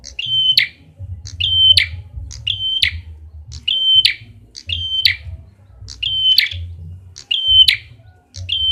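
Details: Prinia with a red head, lure sound: a flat high whistle snapping into a harsh buzzy burst, about nine times at nearly one-second intervals, low hum beneath.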